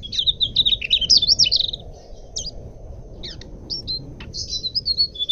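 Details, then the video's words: A Mugimaki flycatcher sings a clear, rapid, high twittering song of varied squeaky notes and slurred phrases over steady low rumbling noise, a recording used as a lure or master song for training birds. "suara burung sikatan mugimaki buat pancingan atau masteran"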